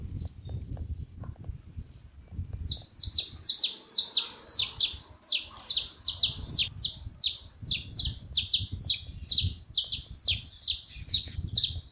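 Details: Saffron finches singing together: after two seconds of low background rumble, a long, steady series of high, bright downslurred chips begins, many doubled, roughly three per second, overlapping as several birds call at once.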